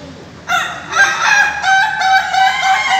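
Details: Ayam Ketawa (laughing chicken) roosters at a crowing practice contest in Bogor, Indonesia: a long crow of rapid, stuttering harmonic bursts like laughter, about three per second, following a quiet start.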